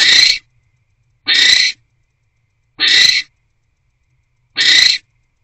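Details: Barn owl at a nest box on a January night, arriving with food, then mating; four harsh, hissing screeches, each about half a second long, repeated roughly every 1.5 seconds.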